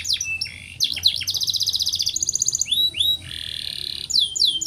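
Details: A canary in breeding condition sings a long rolling song: fast, high trills and long rolls broken by sweet down-slurred whistles, about four notes a second, with no other sounds.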